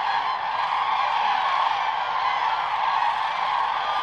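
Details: Common cranes on migration gather at sunrise on Lake Hornborga, Sweden. Countless birds call at once, a constant rolling clamour of ringing, honking notes that stays level from start to finish.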